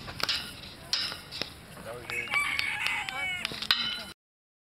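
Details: At a Swiss poultry show in Dietikon in May 2011, a red-saddled Modern Game bantam crows a drawn-out, wavering cry after a run of sharp clicks and knocks from the show hall.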